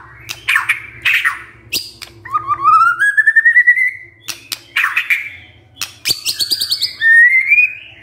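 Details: White-rumped shama song used as a lure for a lazy male. Harsh noisy bursts alternate with long rising whistled glides that carry a rattling edge, and sharp ticks throughout.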